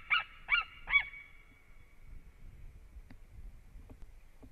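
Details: White-tailed eagle at a nest in Latvia on 7 March 2017, mid-afternoon, as the male returns to the female. Three loud, harsh, yelping notes in quick succession, then near silence with faint ticks and low rumble.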